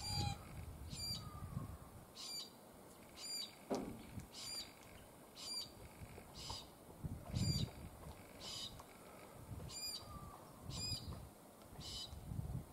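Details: Glossy black cockatoos (Calyptorhynchus lathami) at a feeding site give short, harsh squawking calls roughly once a second, with low rustling and the clatter of falling debris between them.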